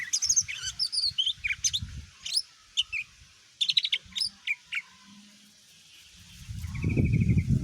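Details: Song of a greater green leafbird, meant to provoke other birds to respond: quick varied high chirps and trills, a pause, then a steady whistled note over a burst of low rumbling noise.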